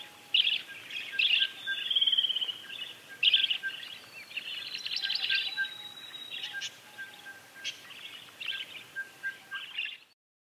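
Azure kingfisher giving shrill, high squeaky notes in quick bursts, mixed with thin drawn-out whistles; faint lower whistles sound in the background.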